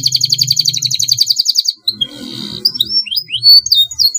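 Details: Singing canary delivering a long rolling song meant as a training master: a steady high rapid roll lasting nearly two seconds, then a buzzy burst and scattered upward-slurred whistles, over a soft low hum.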